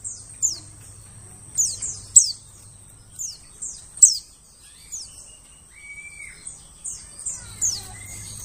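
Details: Lure recording of white-eyes for attracting forest birds: repeated high, thin downslurred chips in loose bursts, with one brief lower whistle midway and a faint steady hum in places.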